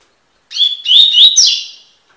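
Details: Double-collared seedeater, coleiro tui tui, singing an encarte training song: a brief 1.5-second phrase of clear high whistles sliding up, ending in a buzzier trill, on a quiet background.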